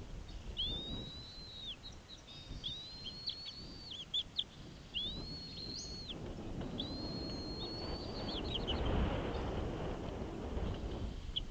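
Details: Bald eagle at a nest on Santa Cruz Island, California, during a feeding and fish delivery: a series of thin, high whistled notes, each held flat then dropping, in four runs with brief chattering pips between, over low background rumble.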